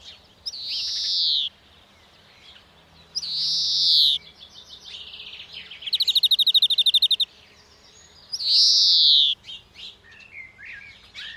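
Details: European greenfinch at a garden bird-feeding spot in Ploufragan, Côtes d'Armor, France, giving three long, nasal, buzzy wheezes that slur downward, about a second each, with a quick dry trill between them and a few faint chirps.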